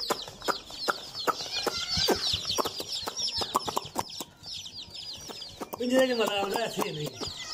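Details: Playing baby chicks fill the air with rapid, high-pitched downslurred peeps and sharp clicks, followed by a lower, rolling warble toward the end.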